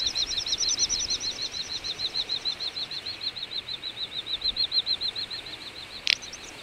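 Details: Little bustard wintering flock, Ag-Gol National Park, Azerbaijan, November 2014: two overlapping trains of quick, high whistled pulses, one fading early, with a sharp click near the end.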